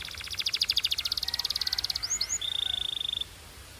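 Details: Song of a Belgian canary: a fast pulsed trill, two upward whistled slurs, then a smooth even rolling trill held on one pitch.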